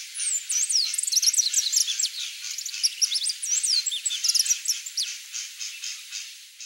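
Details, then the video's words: Shiny cowbird singing a long, tumbling string of high, thin whistled notes, quick downslurs and upsweeps packed closely together, fading into softer repeated pulses toward the end. "CHUPIM canto (MOLOTHRUS BONARIENSIS), SHINY COWBIRD"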